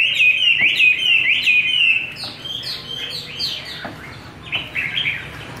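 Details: A captive, wild-voiced Chinese hwamei sings loud, rich whistled phrases of rapid slurred notes, strongest in the first two seconds, then softer varied warbles over faint background noise.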